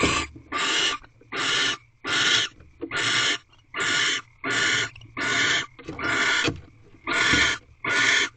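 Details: Mating barn owls in a Corral owl box at night, 24 February 2023, 12:11 am. A regular chain of about eleven hoarse, hissing screeches sounds at roughly one per second, each lasting about half a second.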